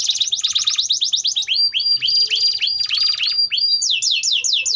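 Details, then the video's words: Singing canary, song for teaching juvenile canaries: alternating fast rattling trills and series of rising swooped whistles, ending in rapid repeated high notes. "Kenari Gacor Durasi Panjang || Ampuh Buat Pancingan Kenari Paud Belajar Bunyi"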